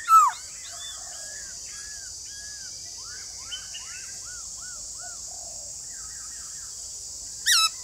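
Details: White-cheeked laughingthrush singing a lively run of varied whistled phrases, including repeated arched notes, opening and closing with loud sharp chirps over steady high hiss; meant to stimulate kept birds to sing.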